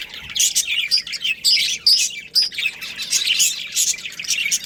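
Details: A budgerigar breeding pair at home gives quick high chirps mixed with short clear whistled notes and grating warbles, steady flock-like chatter throughout.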